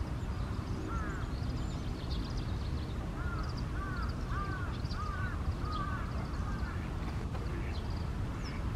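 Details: Eastern spot-billed duck at a park in Japan, a run of short arched quacks, some doubled, over constant loud low rumble and faint higher chirps.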